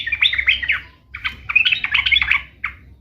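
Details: Sooty-headed bulbul, a lively singer used to make pet bulbuls reply. Two quick bursts of bubbly, twittering warble are split by a short gap and end in a single clipped note.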